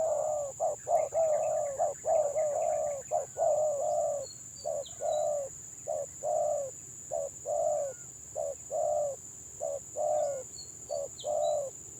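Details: Stammering 'gagap' song of a village spotted dove, opening with a fast rush of overlapping coos then settling into regular short husky notes roughly every half second for twelve seconds, over faint chirps and hiss.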